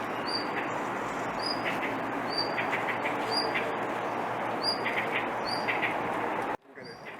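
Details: A blue rock thrush keeps calling without singing a proper song, giving short high thin notes roughly every half to one second amid constant hissing background noise, before the sound cuts off abruptly.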